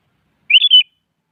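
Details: Morning song of a sooty-headed bulbul calling out a rival: one brief liquid phrase of three fast whistled notes, rising then level, clean and without other sounds.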